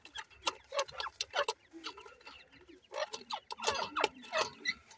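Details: Captive-bred grey francolin (dakhni teetar) chicks in a breeding setup: short soft chirps and clucks mixed with dense sharp clicks and taps, in irregular bursts with brief quiet gaps.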